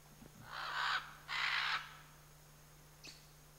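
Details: Two loud, grating squawks in quick succession from a pair of scarlet macaws in the Chiquibul area, followed by a brief faint squeak and a steady low hum.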